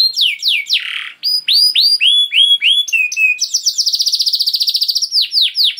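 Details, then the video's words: Canary giving long continuous 'gacor' song: sharp descending chirps, hooked whistled notes, then a rapid rolling trill of many fast identical pulses, ending with more swept notes. "Seketika Kenari Kondisi Apapun Akan Langsung Respon Bunyi Gacor Panjang Tanpa Nunggu Lama"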